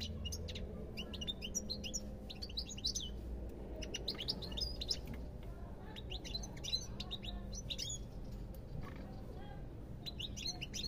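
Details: Sustained European goldfinch song: continuous rapid twittering of sharp high chirps, trills and short buzzy notes in long flowing runs, with a low background hum throughout.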